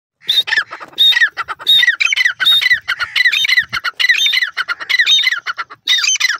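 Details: Grey francolin, known locally as teetar, giving the Dakhni teetar call of India and Pakistan: loud, harsh squawking notes in rapid bursts, phrases repeating about every half second with short gaps.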